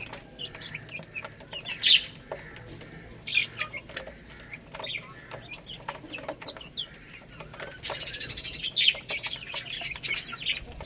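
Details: Baby chicks eating rice, chirping with high, thin peeps in scattered bursts, among many sharp dry clicks and taps; a louder, denser cluster of calls near the end.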